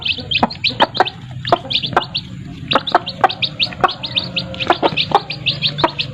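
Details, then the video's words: Chicken chicks with their mothers: dense, rapid high peeping chirps repeated many times a second, overlapping from several chicks, with sharp clicking taps throughout. "sound of chicks and their mothers"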